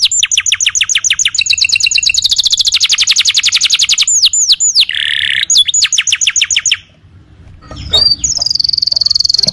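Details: Canary song as a masteran tutor recording for other birds: long rapid trill of repeated high syllables, a few looping whistles and a buzzy roll, a brief pause, then a thin high note.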